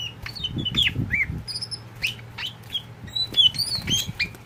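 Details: Pet oriental magpie-robin, a tame kacer poci, singing bursts of whistled slurs and sharp high notes, with rustling and fluttering noise early on and a steady hum underneath.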